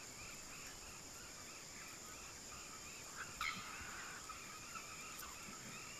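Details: A Swallow-tailed kite in Brazil gives faint, thin whistled notes in a quick series, about four per second, over a steady high insect drone.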